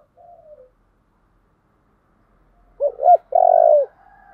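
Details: Spotted dove giving a giọng thổ song: one soft falling coo, about two seconds of silence, then a quick loud double hoot and a sustained, powerful coo that fades into quieter murmurs.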